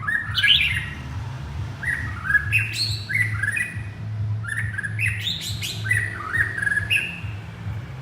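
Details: White-rumped shama male calling for his partner: sequences of liquid whistled notes, rising slurs and quick high flourishes, repeated continuously with a low hum underneath.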